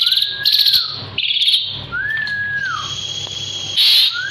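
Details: Asian pied starling held in the hand, singing vigorously: slurred whistles that rise and fall, broken by loud harsh chattering bursts, with one long steady high whistle near the end.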